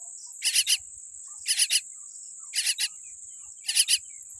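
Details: Baby common myna with a weak beak giving short raspy triple notes about once a second, the groups separated by quiet gaps, with a constant thin high hum behind.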